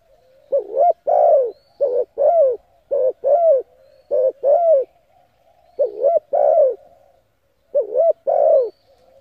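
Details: Cooing spotted dove used to lure decoys: soft, low coos in quick clusters of two or three, each ending in a longer descending note, phrases repeating every second or two.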